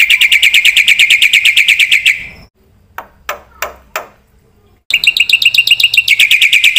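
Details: Black-winged myna singing a vigorous 'gacor full isian' song used as a lure and master recording for training cage birds: fast, even runs of sharp chattering notes, about three per second, broken by a short pause with a few clicks.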